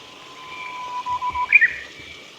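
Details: Japanese bush warbler singing in the nature observation garden of a nature environment conservation centre, Japan, 2 April 2017: a long, steady low whistle that swells, then a quick, higher two-note flourish, in quiet surroundings.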